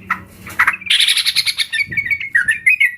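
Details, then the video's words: Lure recording of a group of yellow-vented bulbuls, used to stir caged birds into singing. Bright bubbling chirps tumble rapidly in a lively chatter, with several birds calling at once and short whistled notes near the end. "Pancingan Trucukan Bahan Ombyokan"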